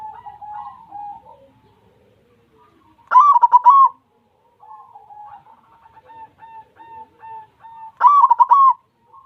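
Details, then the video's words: White zebra dove singing very actively: bursts of loud, rolling, stuttered coos, with softer trailing coo series between them and brief quiet gaps. "suara perkutut putih yang super gacor"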